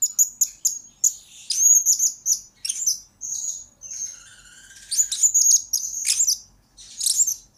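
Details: Blue-crowned hanging parrot serving as a lure bird, its song kept as a master recording for training others: rapid ticking high chirps opening into longer squeaky trills, with a soft lower whistled note midway.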